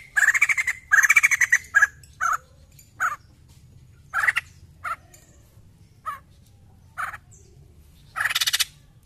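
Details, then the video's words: White-crested laughingthrush singing, used to stimulate other birds into song: scattered bursts of harsh, buzzy chattering notes separated by short pauses, some bursts longer and rattling, others single clipped squawks. "POKSAY JAMBUL GACOR AMPUH PANCING BUNYI"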